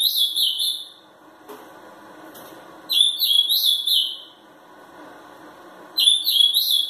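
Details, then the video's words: Agitated three-year-old ultramarine grosbeak, a young competition bird, sings short, bright, warbled phrases, each about a second long and repeated every three seconds, over a faint indoor hum. "Azulão zangado"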